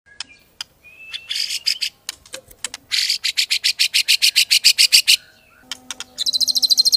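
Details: White-rumped shama singing: sharp clicks and a brief whistle, then long runs of rapid harsh buzzy notes about five per second, ending in a fast high trill.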